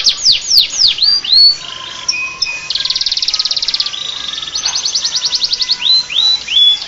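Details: Canary song copying the Bar-winged prinia, varied and rich: steep falling whistles, level piping notes, a long fast rattling trill, then more sliding whistled phrases.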